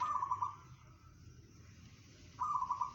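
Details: Zebra dove of a local strain singing in 'bedah karang' style, claimed to be heard 500 metres away: two short bursts of rapidly pulsed, fluttering coos separated by a two-second pause, steady low hum beneath.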